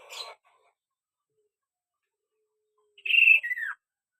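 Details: Lively kaso-kaso bird singing, used to get other birds to reply: a short buzzy burst at the start, a long pause, then a clear whistled phrase of a high held note falling to a lower slurred one.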